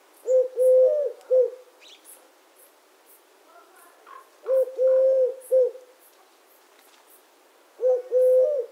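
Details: Three-syllable cooing of a Eurasian collared dove (Streptopelia decaocto), the short-long-short phrase repeated three times about every four seconds, low and even, with faint chirping birds in the background.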